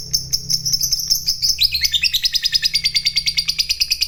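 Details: Fighter lovebird in full voice giving a long ngekek chatter that draws rival lovebirds into calling. A fast, continuous stream of high, buzzy notes drops slightly in pitch partway through and keeps going steadily.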